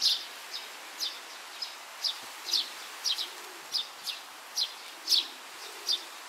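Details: A young Oriental greenfinch in grass, searching for food on 31 May 2023 around midday, gives short, high chipping notes, roughly two a second and somewhat irregular, against a quiet outdoor hush.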